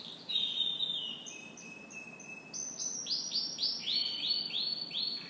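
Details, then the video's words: Morning canary song: sustained high whistles shifting in pitch, then a fast rhythmic trill of repeated downward-sweeping notes, about four per second, with a faint background hiss. "Canary Morning Singing"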